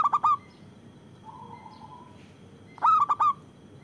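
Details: Local zebra dove calling loudly, intended to lure wild doves and stir reluctant ones to sing: two bursts of three ringing coo notes, separated by a soft low purring note.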